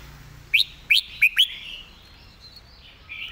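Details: Red-whiskered bulbul delivering four loud, sharp whistled notes in quick succession, part of a fast, repetitive master-song style, with faint warbling behind.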